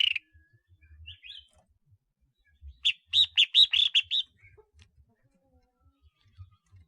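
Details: A decoy red-whiskered bulbul with collar markings: a faint opening chirp and slurred note, then a rapid run of about eight bright, bouncy whistled notes, with soft low thumps in the background.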